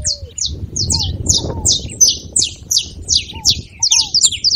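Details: Steady series of high, sharp chip notes, close to three per second, sung by a saffron finch to encourage a silent canary, with a few soft descending whistles and light background hiss.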